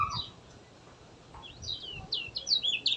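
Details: A few scattered high chirps from a kecial kuning over a noisy background, then a quick flurry of bright, twittering notes in the final second, used as a lure to get lazy birds singing.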